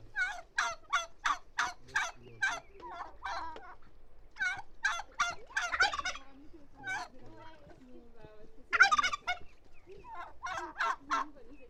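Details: Turkeys gobbling almost continuously for about twelve seconds: rapid volleys of gurgling, rattling notes in quick succession, broken by brief pauses, some bursts louder and overlapping.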